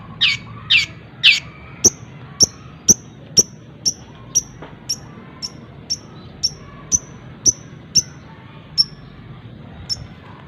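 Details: Long-tailed shrike song filled with phrases copied from other birds, used to train other songbirds; three scratchy notes, then a fast series of sharp, high ticks repeated about twice a second, gradually thinning out.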